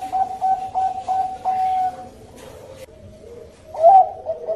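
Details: Bangkok zebra dove lure song; a brisk series of short coos fades into a soft lull, then a loud rising coo returns near the end.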